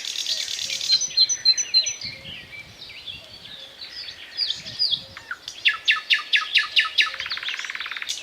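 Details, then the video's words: Thrush nightingale singing its powerful, varied song of unhurried, solemn strophes with pauses between phrases: high whistles and chirping notes, then a rapid series of loud dry clicking rattles, over a faint low background rumble. "Соловей поёт чарующие пения соловья"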